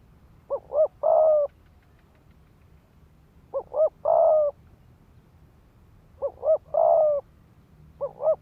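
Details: Spotted dove decoy in 'thúc gù' cooing style used to stir rival males into fighting; three phrases, each two clipped coos followed by a long steady coo, spaced about three seconds apart in quiet surroundings.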